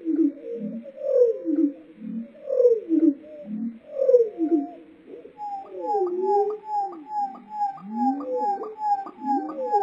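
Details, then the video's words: Lark bunting song, slowed down: deep, slurred whistled phrases with swooping falling and rising notes roughly every one and a half seconds, then a quicker run of short repeated notes over a steady, evenly ticking higher tone. "The Harmony of Bird Sounds - Lark bunting (Calamospiza melanocorys)"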